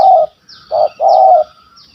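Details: Spotted dove, a stuttering bird with a big 'kuk 1 2' voice, targeted on a bird hunt in Malaysia: deep, hollow coos, one long note followed by a short note and another long one, with faint high falling chirps behind.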